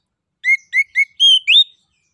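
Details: Ngeplong song of an orange-headed thrush, used to prompt other birds to sing: three short, identical rising whistles, then two longer, higher whistled notes, clean and evenly spaced.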